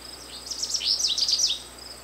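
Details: American goldfinch singing: a rapid, jumbled series of high twittering and swept notes over about a second, with a faint steady insect hum in the background.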